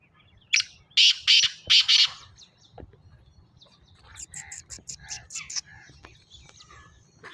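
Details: Black francolin (kala teetar) calling: a phrase of four loud, harsh, grating notes in quick succession, followed by softer scattered chirps from other birds and a man speaking short words nearby.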